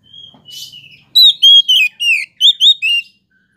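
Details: Oriental magpie-robin (kacer) singing to provoke other magpie-robins: after a few soft, faint sounds, seven loud, clear whistled notes follow in quick succession, each sliding or rising, some with a brief twist at the end.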